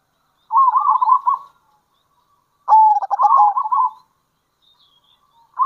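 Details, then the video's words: Kerot and bekur calling by a local zebra dove, used to lure others of its kind; two long rippling coo phrases, the second opening with a hard stutter, another starting at the end. "Panggilan Perkutut Lokal !! Perkutut Lokal Kerot Gacor Dan Bekur Ampuh Untuk Pancingan Perkutut"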